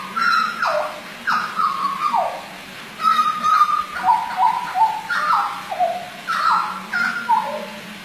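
Hooded butcherbird singing rich, fluty whistled phrases, each ending in a falling slur, repeated about every second and a half over a faint low hum.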